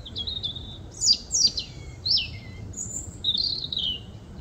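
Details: European robin singing a varied phrase of high, thin whistles, sharp downslurred notes and fluttering trills with short pauses between elements, over a low background rumble.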